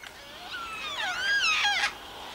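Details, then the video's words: Yellow-tailed black cockatoos, a flock of about 20 in the bush on Phillip Island, give drawn-out, wavering wails that slide down and up in overlapping harmonic tones, rising in intensity then cutting off near the end. "Yellow Tailed Black Cockatoo"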